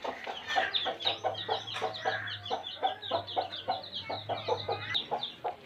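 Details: A flock of baby chicks in a village gives busy, overlapping high peeps and chirps over a faint low steady hum.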